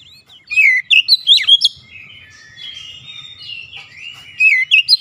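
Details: Oriental magpie-robin singing gacor and persistently unloading its repertoire. Sharp whistled notes and chips give way to a softer rambling warble, then a fresh loud phrase of rising whistles begins.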